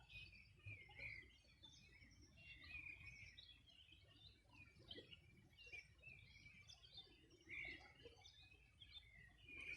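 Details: On a 2020 summer morning along the Bueno River in the Los Ríos Region, birds chirp continuously in a loose chorus of short, bright, repeated notes, irregularly spaced, with faint low rumble underneath.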